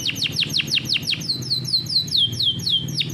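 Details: Farm-bred canary delivering rolling song meant as a model for young canaries: a quick series of steep descending whistles followed by smoother repeated down-slurred notes, about five per second, over a low background hum.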